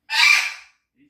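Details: Four-year-old pet grey parrot giving a single harsh, loud, noisy scream lasting about half a second, broad and raspy, followed by silence.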